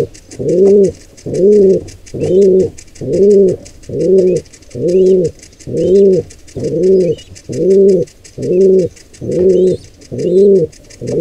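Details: At a wild pigeon nest under attack by an intruding pair, deep humming coos follow one another in an even rhythm, roughly once per second, while thin chirps flicker faintly in the background.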